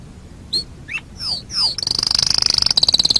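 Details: Canary singing on a master track for training birds: a few separate whistled slurs, some sweeping downward, then a sudden rapid high trill of evenly spaced pulses that rolls on to the end.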